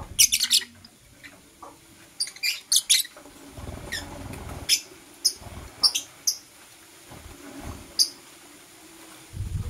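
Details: Morning lovebird calls, blue opaline and parblue euwing opaline, opening with a loud rasping chirp burst, then scattered sharp high tweets and squeaks, with low thumps and rustling between them.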